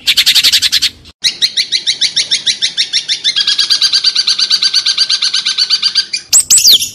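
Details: Long-tailed shrike, 'tembakan' style song: a loud fast burst, a short pause, then a long, accelerating trill of repeated buzzy notes, ending with a sharp descending whistle.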